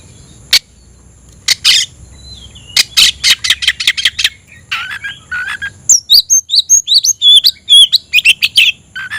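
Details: Oriental magpie-robin looking for a rival: isolated harsh notes build into a rasping series and low buzzy phrases. It then breaks into varied, sweet, high whistles with sharp up-and-down slurs.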